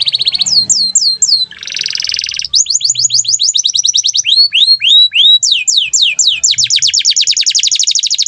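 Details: Atlantic canary in full, energetic song, used as a master training song for other birds: rapid tours of steeply falling whistled notes, a dense buzzy trill, then long runs of fast repeated sweeps at several speeds.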